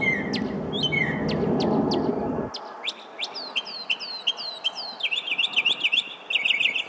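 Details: Northern mockingbird singing on a weekday evening in early June in a parking lot in Arlington, Virginia: a varied run of sharp chips and falling whistled notes in fast repeated series, with a low traffic rumble cutting off early.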